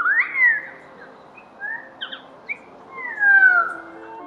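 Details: Pied currawong in Australia giving its famous song: loud, ringing whistled glides that rise then fall, a few notes over four seconds with short chirps between; faint music may sit underneath.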